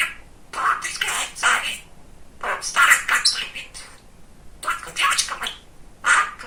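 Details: Talkative male pet budgerigar chattering indoors in four separate runs of rapid, hoarse, buzzy mimicked speech, each lasting about one second, with short silences between them.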